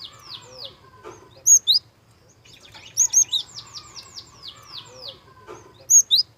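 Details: Java sparrow song played as a lure for young birds. Descending clicky notes, a pair of loud piercing squeaks, then a lively run of rapid chirps with more sharp squeaks, ending on another bright pair.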